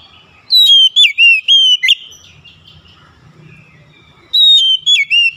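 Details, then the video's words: Whistled song of an Oriental magpie-robin, played as therapy to restore a stressed bird: a loud phrase of sliding, clear notes, a pause of over two seconds with soft low hum, then the phrase starting again. "TERAPI CEPAT PEMULIHAN KACER SETRES LANGSUNG GACOR"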